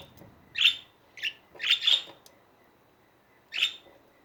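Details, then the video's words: Budgerigar chatter indoors: a few sharp, high chirps, one single, then a quick double burst, and another chirp after a short quiet gap, in a calm room. "Hours of chatting budgies"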